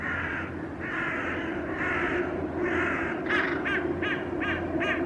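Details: Hooded crows harassing a young northern goshawk on a rooftop railing; loud, hoarse, drawn-out caws repeated roughly once a second, followed by quicker clipped, rasping calls, with constant low rumbling in the background.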